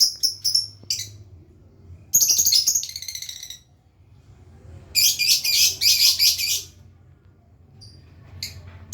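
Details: Lovebird practising the long ngekek trill: short bursts of high chattering chirps, then a harsh rattling squawk, a pause, and a longer buzzy chattering run before fading into scattered chirps.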